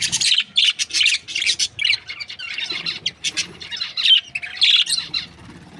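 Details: Australian budgie breeding pair in a happy mood, chattering continuously with high, warbling chirps and rapid squeaks in an almost unbroken stream.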